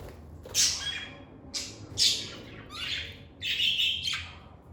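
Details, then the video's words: Pet lovebirds in a calm indoor setting give loud, harsh chirps and squawks, about five bursts in under five seconds, the last a longer buzzy trill. "Lovebird Singing & Chirping Sounds"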